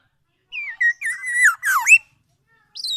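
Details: Black-naped oriole giving a short run of clear, fluty whistles that hold steady and then bend down and back up, ending in a higher slurred note after a pause; no other sounds.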